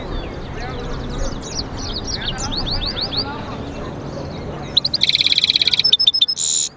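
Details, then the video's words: European goldfinch × canary mule singing: faint high descending notes over background hiss, then a loud burst of rapid clicking trills and a sharp buzzy note near the end. "European Goldfinch mule singing"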